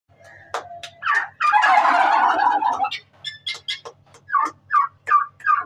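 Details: Turkey chicks calling: short, falling peeps near the middle range come in quick, uneven bursts, with a louder, rough, noisy flurry of overlapping calls in the early seconds and a faint low hum underneath.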